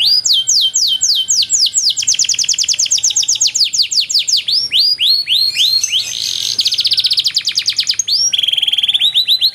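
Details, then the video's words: Training song of a canary, long and richly ornamented: loud series of sweeping whistled notes in shifting tours, a harsh buzzy burst midway, then a fast even rattle of short notes. "DURASI PANJANG BANGET LAGU DAN CENGKOK MEWAH, MASTERAN TOP UNTUK KENARI"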